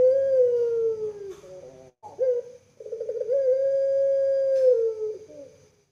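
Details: Puter pelung collared dove kept in captivity in Indonesia: a long, slowly falling coo, a brief break, a quick gurgled note, then a prolonged, level, melodious coo of about two seconds that tails off.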